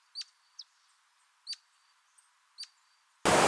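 Giant hummingbird giving sharp, high chip notes about every second, each with a fainter thin whistle after it; a burst of rushing noise ends it.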